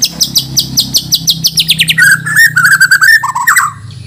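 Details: Contest white-rumped shama from Banjar, Borneo, in full isian song: a fast series of high, ticking notes slides downward, then gives way to rapid chattering phrases at a lower pitch, with a faint hum throughout.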